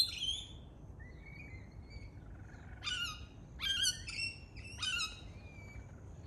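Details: Australian lorikeet, a parrot, making a scattering of thin whistled notes followed by several loud, harsh, harmonic screeches spaced about a second apart.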